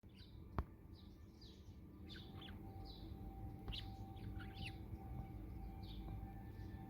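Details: A male pet budgerigar, whose owner is puzzled by his licking and biting of fingers, gives short, scratchy chirps and warbled notes in loose bursts over a steady indoor hum.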